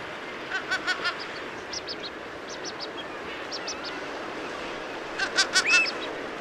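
Kelp Goose giving short, high, nasal honks in quick bursts of three or four, with a final rising note, over a steady background hiss.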